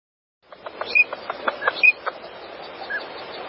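Green-winged teal give two short, high, clear whistled peeps almost a second apart. Rapid soft clicks, nasal chatter and steady background hiss run around them.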